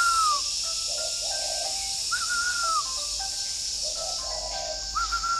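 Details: Morning spotted dove at a bird garden in Ba Vì, Hanoi, northern Vietnam: low, muffled coos recur between clear, gliding whistled notes, all over a constant high-pitched insect hum.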